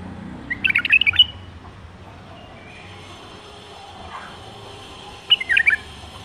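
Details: Captive-bred bulbul from the 2018 season sings two short, lively phrases of jumbled, whistled and warbled notes about four seconds apart, over faint background hiss.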